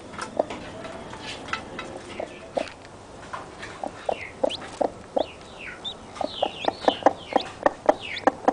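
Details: Newly hatched chicks peeping to keep their mother near: thin, high, falling peeps scattered throughout over low clucks that grow faster and louder toward the end.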